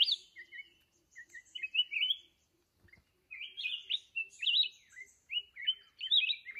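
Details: Red-whiskered bulbul, a wild-caught mountain bird used as a fighting decoy in trapping, singing bright, chirpy, warbled phrases of a few quick notes in bursts with short pauses; a faint low hum underneath.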